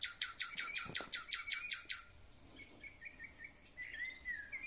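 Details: Thrush nightingale in spring: a loud run of evenly spaced knocking strokes, then soft warbled whistles trailing off.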